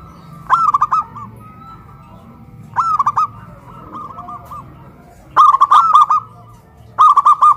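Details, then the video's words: Caged local zebra doves hoisted on a pole in Kuningan, West Java, sing loudly after being raised. Four phrases of rapid, resonant coos, each a tumbling series of four or five notes, with a quieter dove between them. "PERKUTUT LOKAL SUARA BESAR VS SUARA KRISTAL"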